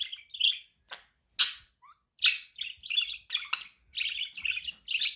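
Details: Pet budgie giving varied chirps: warbled, chattering notes and a few sharp broadband squawks, strung closely together in an uneven stream over a quiet room background.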